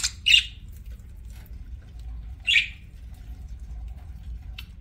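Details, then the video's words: Pet parakeet (budgie) chirping while eating: two short bright chirps about two seconds apart, a faint click near the end, over a low steady room hum. "PARAKEET EATING SOUNDS"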